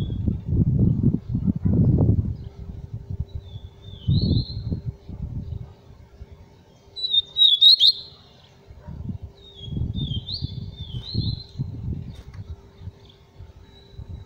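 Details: Tui tui papa-capim seedeater giving three short bursts of high twittering song, spaced several seconds apart, over intermittent low thumping and rumbling noise.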